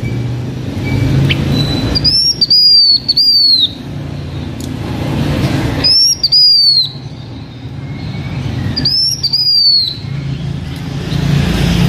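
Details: Blue-winged minla, a decoy bird singing to lure others, kept by a Hmong owner in Vietnam: three high whistled phrases, each a sliding note rising then falling with a trailing descent, spaced about every three to four seconds over low rumbling background noise.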